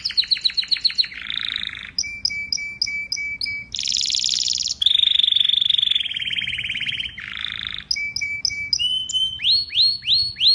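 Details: A varied canary song: fast trills, buzzy rolls, short chips, a loud buzzy passage, and finally a series of rising swooping whistles.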